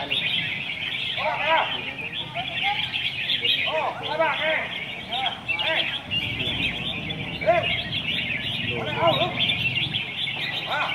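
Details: Caged red-whiskered bulbuls singing at a song competition in Hat Yai district, Songkhla, Thailand. Several birds overlap in bright, bubbling, warbled phrases. A dense chirping chorus sounds behind them, with applause from the crowd.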